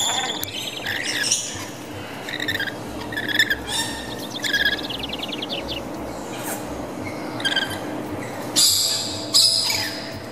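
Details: Rainbow lorikeets, parrots of Australia: rapid screechy, buzzy chattering bursts and harsh squawks scattered through the recording, with some louder broadband screeches near the end amid background noise.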